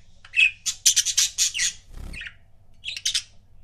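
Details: Pet budgerigar couple chirping: a rapid string of loud raspy chirps, a soft low thump, then a short burst of buzzy chatter.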